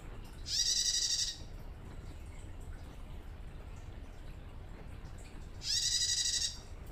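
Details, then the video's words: A captive female bar-winged prinia, newly acquired and still untrained, starting to learn to sing and calling to males, gives two harsh, buzzy, rattling bursts of under a second each, about five seconds apart, against a quiet low hum. "PRENJAK TAMU BETINA LANGSUNG BUNYI"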